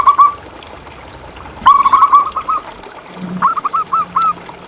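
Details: Zebra dove master song for coaxing silent caged doves to sing: a short opening flourish, then two separate runs of quick, mellow coo notes separated by a quiet gap.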